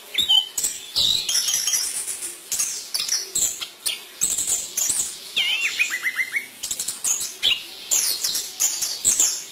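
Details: Chestnut-capped thrush, known locally as Anis Kembang, singing in the energetic, full-voiced "gacor" style: a dense, continuous stream of varied high whistles, trills and rapid descending note runs, mixed with repeated sharp fluttering or clicking noises.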